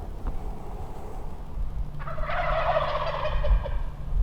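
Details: Wild turkey gobbler that has come down onto the ground, gobbling near a large flock on public land in Nebraska during the second day of a hunt. A loud, rapid, rattling burst of gobbling over a steady low rumble.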